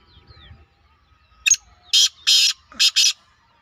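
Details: Black francolin calling clearly: a brief opening note, then two long grating, buzzy notes and a rapid closing pair, a harsh five-note phrase over about 1.7 seconds.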